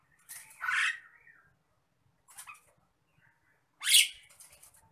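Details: Nias hill myna calling while agitated, a harsh squawk that slides into a whistled tone, then a faint short call and a final loud rasping shriek.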